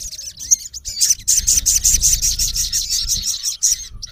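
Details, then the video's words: A male Olive-backed Sunbird, recorded in its natural habitat, calls to a rival with a quick run of thin, very high, sharp chips, nearly three a second, over a faint low rumble. "MALE SUNBIRD CALLING RIVAL -SOGON GACOR MEMANGGIL LAWAN KASAR"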